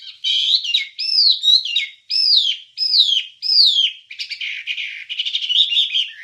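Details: Masteran training recording of a wambie singing: a series of loud, clear whistled phrases, each rising and then sliding down, followed by a rapid jumble of buzzy chattering notes.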